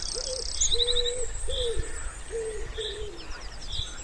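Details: Soft, level coos from a wood pigeon beside a pond in spring, five drawn-out hoots over three seconds, with scattered thin chirps from other birds and a faint background hum.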